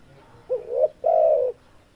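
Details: Breeding-condition male spotted dove delivering one call: a quick upward-sliding coo, brief pause, then a drawn-out even low coo lasting about half a second, with little other sound.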